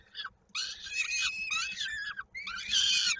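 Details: Peregrine falcon chick at a nest in Koszalin, 16 May 2022, calling while being fed with its foot stuck in the parent's beak; shrill, harsh, downward-slurred squeals in quick bursts with short gaps.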